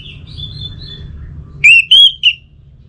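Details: Lure song of an orange-headed thrush meant to set a kept bird singing: quiet thin warbling, then three loud, pure whistled notes, the middle one rising and falling, over faint low rumble.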